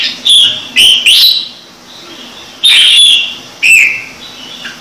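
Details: Ornamental red-whiskered bulbul giving Trung Mang style song: clear, high, whistled phrases in short groups, with a longer pause in the middle before two more ringing whistles.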